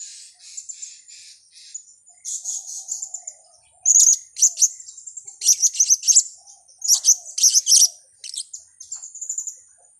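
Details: Lure call of the blue-crowned hanging parrot for trapping: rapid series of piercing high chips grouped into stuttering bursts, growing louder around the middle, with a steady thin high tone running throughout and faint low notes beneath.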